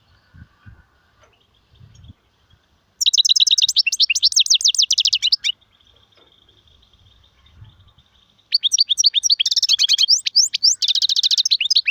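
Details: Goldfinch song in the Sarfati, Gzrati and Sersir styles. After quiet with soft knocks, two long bursts of rapid, high, twittering and buzzy notes are separated by a faint steady whine.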